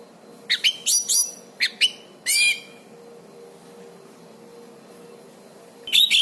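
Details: Orange-banded thrush in energetic song, recorded as a master for tutoring caged birds. A cluster of sharp chattering notes and a louder rasping phrase, then a long quiet gap before one more burst at the end.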